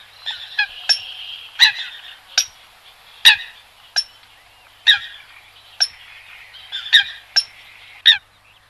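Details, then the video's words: Eurasian coot call, described as the coot sound that best attracts birds: about a dozen short, sharp, harmonic calls at irregular intervals over nearly nine seconds, over a faint, steady, buzzy background hiss. "Tiếng sâm cầm ăn chim nhất"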